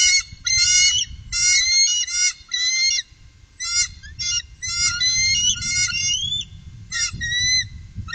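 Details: A group of three bald eagles recorded on the Upper Mississippi in 2018 calls in a rapid series of shrill, stuttering, squealing notes, about a dozen short bursts, some ending in upward slurs, with low rumbling noise throughout.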